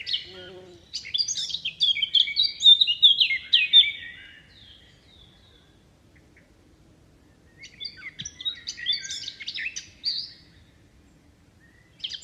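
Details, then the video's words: Bird chirps over wind through leaves: a lively, high, scratchy twittering phrase lasting a few seconds, long quiet, then a second rapid chattering burst and a brief final note. "Wind blows leaves, leaves bird chirping sound"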